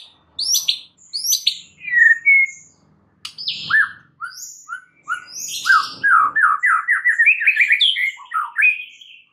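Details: White-rumped shama singing for training other caged shamas: high squeaky downslurred notes, then a lively varied run of short whistles and chirps that speeds into a dense rising sequence.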